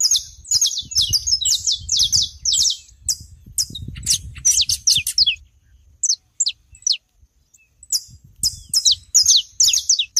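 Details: Saffron finch recorded on a Brazilian smallholding: rapid runs of high, sharp chirps, a brief lull with a few isolated notes, then the fast song resumes, over low rumbling noise.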